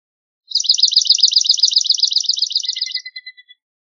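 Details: Swamp sparrow singing a steady, even trill of rapidly repeated high sweet notes for about two and a half seconds, ending with a few soft separate chips.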